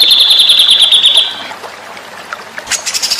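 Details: Murai batu, the white-rumped shama, used as a master recording for training: a rapid, even trill of high notes held for just over a second, fading into quieter scattered notes, then a soft burst of high chips near the end.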